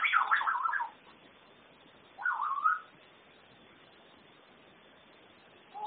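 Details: Whistling by a pet African grey parrot known to say Norwegian words: two wavering, warbled whistles that rise and fall rapidly, the first near one second long, the second shorter and ending on a rising note, with steady background hiss.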